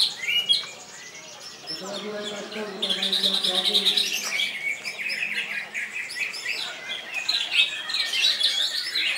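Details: Greater green leafbird in continuous koncer-style song, loud rapid twitters and high whistles, with a low human voice humming underneath for a few seconds.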